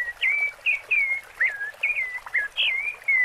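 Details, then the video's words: A rufous-bellied thrush sings in the 'Piedade Senhor' style: a quick string of clear, fluting whistled phrases, each short and slurred, several in a few seconds, over a faint steady hiss. "Sabiá Laranjeira Canto Piedade Senhor"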